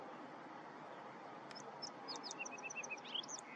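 A Song Sparrow sings a quick run of high, bright notes, then a rapid trill, and ends on a buzzy note. A steady rumble of background noise runs underneath.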